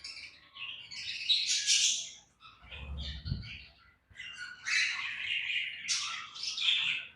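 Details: Budgerigars in a colony breeding setup with chicks, giving loud scratchy squawks and warbling chirps in dense high bursts, a short low thump in the middle, indoors.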